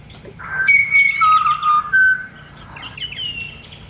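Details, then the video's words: Mellow whistled song of a pied butcherbird in Australia: a few sustained, piping notes at shifting pitches, then a quicker rising flourish at the end. "BUTCHER BIRDS Serenade / Serenata de Pajaros Carniceros"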